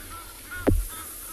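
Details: Geese heard in the background at a hot South African game reserve waterside, where a hippo is nearby, during an afternoon safari in late December: a single short, harsh honk that rises to a burst and drops away.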